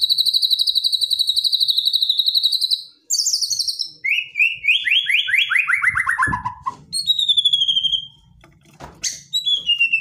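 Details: White-rumped shama in aggressive provoking song: a high fast rattling trill, then a series of notes falling stepwise in pitch, followed by shorter whistled slurs.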